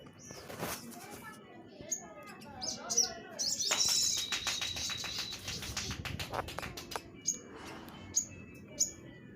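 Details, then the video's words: Orange-headed thrush, known locally as sogok ontong, recorded as tutor song for training and testing cage birds: sparse high chirps, then a dense burst of fast twittering and clicking notes over a held whistle, fading back to single chirps. "suara masteran burung sogok ontong"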